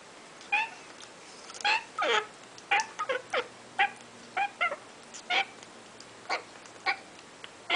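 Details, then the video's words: African grey parrot baby chicks, a keeper's first brood, giving a rapid series of short, harsh, harmonic squawks, about two each second, some sliding downward, indoors with a quiet background. "My African grey baby chick"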